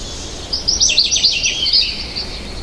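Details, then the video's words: American goldfinch singing a rapid, high, sweet warbling twitter of tumbling notes lasting about two seconds, bright and continuous, with light background hiss. "Beautiful Goldfinch Bird Sound"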